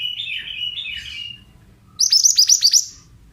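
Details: Pied bushchat lure song: a second-long, chattering, warbled phrase, a brief pause, then a crisp string of about eight rapid, downward-swept whistles. Meant to draw replies from untrained birds.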